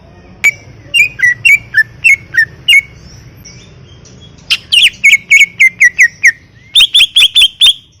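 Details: Greater green leafbird song: bursts of quick, down-slurred whistled notes repeated several times a second, shifting pitch between phrases, with a faint background hum.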